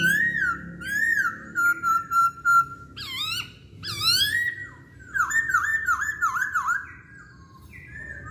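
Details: Chinese hwamei: wavering looped whistles and a steady held note, then arching phrases and a run of five or six repeated swooping whistles, loud and melodious.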